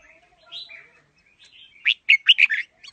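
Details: Đá lân singing by a red-whiskered bulbul with a forest-type voice: a few quiet warbled notes, then a burst of loud, sharp, clipped whistles near the close.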